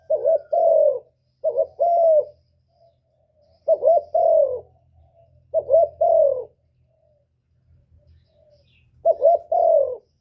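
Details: Spotted dove 'cu gù' coos, a trapping lure that also excites caged birds. Five low phrases come at uneven intervals, each a quick double-pulsed note and a longer falling hoot, with faint soft notes in the pauses.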